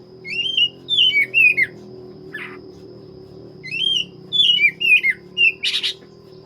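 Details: Black-breasted oriental magpie-robin in full song: sequences of varied whistled phrases with rising and falling slurs, one harsh buzzy note near the end, over a steady low indoor hum.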